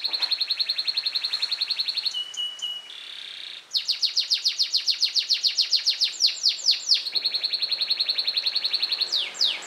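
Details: A pet yellow canary, set outside in the sun, sings rapid, bright rolling trills of repeated notes, switching between buzzy runs, a clear whistled phrase and sweeping chirps.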